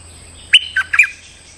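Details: Stripe-throated bulbul calling a territorial resident bird as a lure: a single brief phrase of three bubbly, slurred notes.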